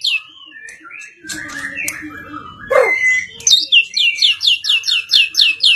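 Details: White-rumped shama of the Medan type with blorok plumage, called exotic: mixed sliding whistles and harsh notes, then a steady series of about a dozen rapid, evenly repeated high notes.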